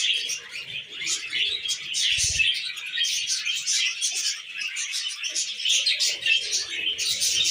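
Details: Constant high-pitched chirping and warbling from several tame pet budgies, the notes tumbling over each other, with one short low rumble early on.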